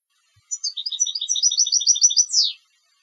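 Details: A competition goldfinch sings one clean phrase: tinkling high chips speed into a liquid rolling trill, closed by a sharp falling swoop.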